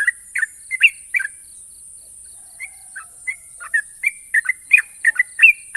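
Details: Champion yellow-vented bulbul with a sharp ropel song: a burst of bright chirps, a pause of scattered single notes, then quickening bubbly phrases again, with a faint high hiss throughout.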